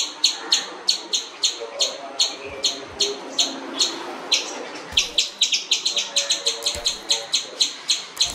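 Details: Jungle babbler chattering in rapid harsh notes that speed up midway into a denser burst, several notes per second, with a few low thumps in the background.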